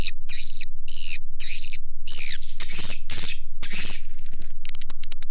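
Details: Swiftlet lure call shared with Indonesian swiftlet farmers: repeated harsh buzzy chirps about twice a second, then louder grating trills and a quick run of dry clicks at the end.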